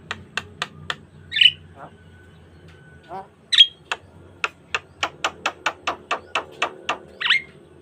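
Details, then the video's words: Asian pied starling in lively full song, used as a lure and tutor for other starlings: a series of sharp clicking notes repeated about twice a second, broken by harsh squawky bursts and a drawn-out whistle, with a low hum beneath. "Pancingan Jalak Kebo Gacor Mompa Full Variasi - Masteran Suara Burung Jalak Kebo Full Isian Mewah"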